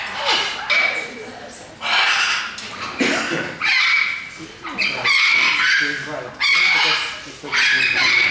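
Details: Umbrella Cockatoo kept at a parrot sanctuary in Arizona, giving loud, harsh, broad screeches in bursts about every second, with a person talking nearby.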